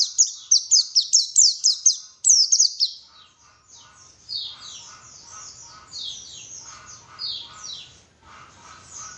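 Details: White-eye song played as a lure to make birds sing vigorously: a fast run of high, thin, downslurred chirps for about three seconds, then fainter overlapping twittering from several birds.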